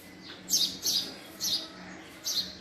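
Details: A male house sparrow (Passer domesticus) gives four harsh, bright chirps, roughly one every half second, over a faint low steady hum.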